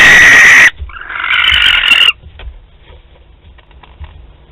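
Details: Barn owls at Théding on 28 February 2021, at the start of courtship, recorded on a webcam: a loud, harsh, broadband screech opens, followed by a rasping hiss lasting over a second, then quiet background with faint clicks.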